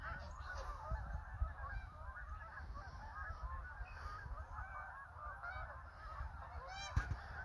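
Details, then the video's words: A huge flock of Canada geese, hundreds strong, keeps up a steady wash of overlapping honks and yelps for the whole stretch, with a few sharper calls standing out over low rumble. "Hundreds of Canada Geese"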